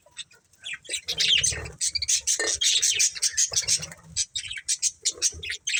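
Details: A family of budgies gives rapid, overlapping high chirps and buzzy warbles in quick bursts, with soft low rustling in the background.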